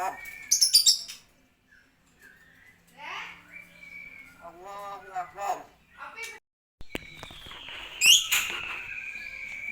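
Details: Talking common hill myna imitating phrases and coughing; a loud harsh burst opens, then gaps, short whistles and a voice-like muttered phrase, ending with a loud squeaky cry and trailing whistle.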